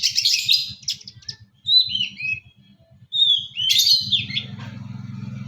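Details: Long-tailed shrike from East Java singing a lively full isian song: bursts of high, scratchy chattering notes broken by brief pauses, then thin whistled slurs, with a low steady hum underneath.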